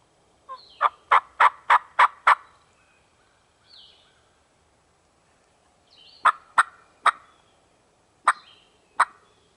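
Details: Male wild turkey gobbling near where a hen had been, during a spring 2023 hunt in the mountains of Virginia: a rapid rattling burst of about six sharp pulses, then shorter gobbling bursts a few seconds later, in a quiet background.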